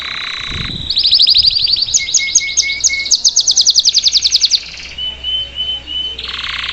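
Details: Salsa canary singing for a young bird to learn, a buzzy low tone giving way to a fast high trill with pulsed notes, then softer whistles over a faint background hum.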